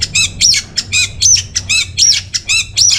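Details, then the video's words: Orange-headed thrush singing as a lure and master track for caged birds, delivering a fast, regular series of loud, harsh, buzzy notes, each paired with a sharp higher squeak, about eight notes in three seconds. "Bikin Geger ANIS MERAH Dirumah Pasti Gacor || Pancingan sekaligus Masteran Burung Punglor"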